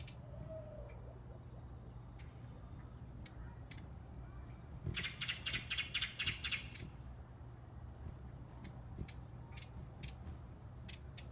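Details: Broad-billed Hummingbird (Cynanthus latirostris) at Monterrey, Nuevo León, México, on 2016-03-20 gives a quick burst of about eight dry, scratchy chattering notes, with scattered single ticks around it, over a steady low rumble.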